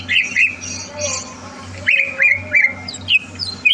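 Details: A competition-ready greater green leafbird (cucak ijo), recorded 30 November 2022, sings rapid, varied phrases of bright chirps and slurred whistles, some rising sharply, over a steady low hum.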